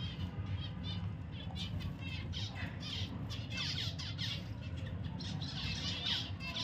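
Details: Pet zebra finches calling in a busy run of short nasal beeps and buzzy notes that grow denser after the first two seconds, with a constant low hum and faint wing flutter underneath.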